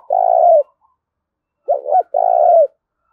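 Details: Decoy spotted dove giving its challenge coo to provoke rivals: a long purring coo, a pause, then a quick two-note coo running straight into another long rolling coo, loud and clear against a silent background.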